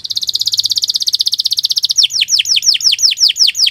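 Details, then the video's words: Canary song offered as a tutor recording for other birds: a dense, rapid high trill for about two seconds, then a series of loud downward-sweeping whistles repeated roughly three times a second. "Kicau Burung Kenari 174 II LUAR BIASA GACOR PANJANG Cocok untuk Masteran"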